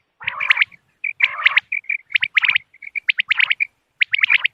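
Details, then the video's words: Common quail calls used as a hunting lure on moonlit nights, dated 3 November 2025: bursts of sharp, clipped notes in quick clusters, with some rough, lower, harmonic-rich notes, separated by short silences. "بٹیر کی آواز چاندنی رات کیلئے quail bird sounds for hunting common quail bird bater"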